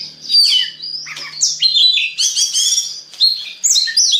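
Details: Lure song of an Oriental magpie-robin meant to set others singing: bright whistles, descending slurs and raspy chattering bursts in quick succession, over a faint low hum.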